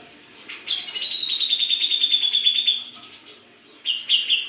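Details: Greater green leafbird from Java singing vigorously: a long rapid trill of bright, even notes held at one high pitch for about two seconds, then a short pause and a second burst of the same buzzy trill.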